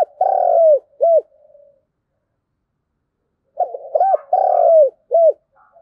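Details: Spotted dove in the thúc gù cooing style with a local field-type voice, played as a lure to provoke wild doves into calling: low hollow coo phrases, a long note then a short clipped one, repeated after a pause.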